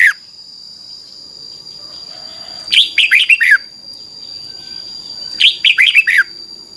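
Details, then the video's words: Two matching phrases from a red-whiskered bulbul, a Thai song used to train young birds to copy. Each is a rapid cluster of five or six chirpy, falling notes about two and a half seconds apart, with a steady electronic-like whine throughout. "นกกรงหัวจุก, 30 นาทีทุกเช้า เพื่อให้นกเรียนรู้ที่จะพูดได้อย่างรวดเร็วและหนักแน่น"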